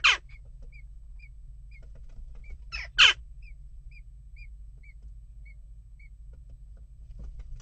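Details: Sparse jackdaw calls during nest-box unrest, one harsh call at the start and a close pair near three seconds, while a small bird's thin high peeps repeat about every half second.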